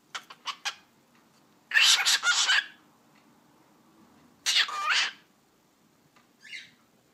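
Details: Captive cockatiel speaking in imitation of human words, its favourite phrase "eşek sıpası"; a few quick clicks, then two loud, scratchy, breathy speech-like phrases of roughly a second each separated by a quiet gap, then a soft brief note.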